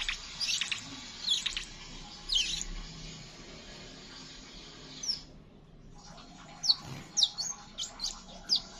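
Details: Scarlet minivet calling in the rapid chirping style known locally as ngeriwik, used to prompt other birds to sing: thin, high, sharply down-slurred chirps in loose clusters, a pause midway, then quicker repeated notes over steady background hiss.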